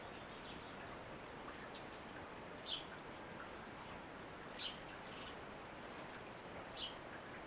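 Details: Eurasian blue tit, a mother feeding her fledgling: three short, high chirps spaced roughly two seconds apart, faint over a steady background hiss.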